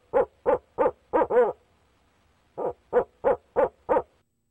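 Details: Male barred owl at a nest box calling to his mate, 29 April 2019: two bursts of rhythmic, evenly spaced hoots about three per second, the first run ending in a drawn-out, wavering hoot, with a quiet pause between bursts.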